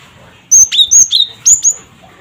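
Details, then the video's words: Gelatik batu, or cinereous tit, used to provoke other birds to call: a short sequence of high clear whistles alternating with lower slurred notes, ending in one long rising whistle. "Suara Burung Gelatik Batu Cret Cret Wucit"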